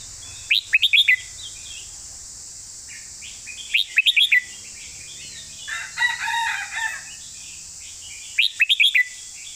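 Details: Red-whiskered bulbul singing a master-song style phrase: three short bursts of quick, bright, chattering notes spaced about three seconds apart, with a lower warbled phrase between them, over a steady high hiss.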